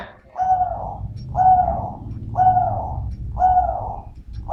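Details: ['Dove described as having a medium-pitched voice, giving mellow cooing phrases of a low hooting note with a slight upper overtone, repeated about once a second, with faint low background rumble.']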